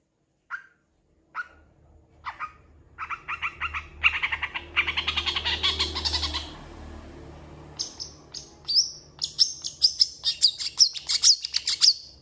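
A long-tailed shrike sings a varied medley: sparse short notes, then a dense scratchy run and a quickening series of sharp high whistles.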